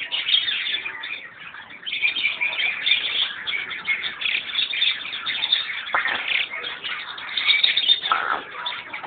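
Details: White parakeet giving busy, rasping chirps and twittering squawks without pause, rising and falling in loudness, with a brief sharp click midway.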